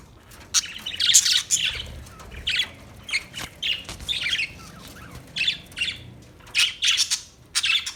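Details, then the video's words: Budgie chirping in an irregular string of squawky, warbling notes, some high sharp clicks mixed in, steady throughout. "Beautiful Budgie Beautiful birds Chirping Sounds"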